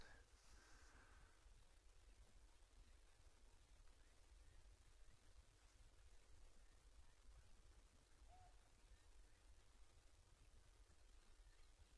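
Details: Only a very faint outdoor hush with low rumble, plus a couple of tiny indistinct ticks; no clear animal voice.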